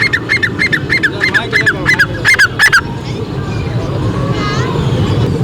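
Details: Caged partridges (teetar) for sale at the Lalukhet bird market, calling from all sides; a rapid run of about a dozen sharp, downslurred notes in quick succession, then market background noise.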